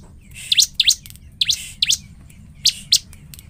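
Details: Bar-winged prinia in lively, energetic song used as a lure to provoke another prinia into reacting quickly: sharp, high, rising chirps in quick pairs, three pairs over about three seconds, over a faint low hum.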